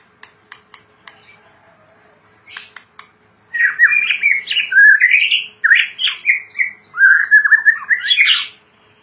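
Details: Caged white-rumped shama singing vigorously: a few sharp clicks, then rich, varied whistled phrases sliding and warbling, ending with a high, harsh burst.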